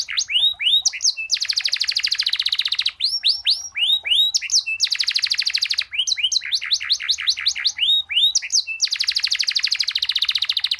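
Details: A canary in full song, long-rolling and richly varied, recorded for tutoring: bursts of quick rising whistles alternate three times with long, even, buzzy trills.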